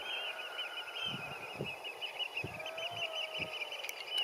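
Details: Eurasian oystercatchers on sea rocks in spring, 20 April 2019, give a steady stream of shrill, high piping notes running together into a busy chorus, with low thumps of wind underneath.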